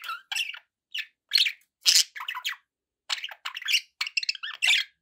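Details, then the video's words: Budgies chattering as pets, a steady stream of quick harsh chirps and warbled squawks in short bursts separated by small gaps, all high and scratchy, with one louder rasping note near the middle. "budgie sounds"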